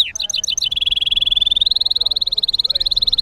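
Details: Goldfinch mule holds a long, even, high trill of rapid identical pulses, about fifteen per second, after a few short warbled notes at the start.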